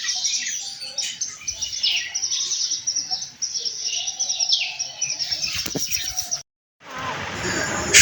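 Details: A chorus of Baya weavers singing in the morning near a house gives dense, wheezy, buzzing chatter and high sizzling notes, run together without pause; a brief gap near the end, then rustling.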